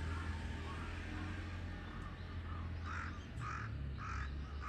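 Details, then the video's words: One of three crows mobbing a hawk, 21 October 2023; four broad, raspy caws in the second half, evenly spaced under a second apart, over strong low-pitched background hum. "3 crows vs hawk ,カラス,까마귀"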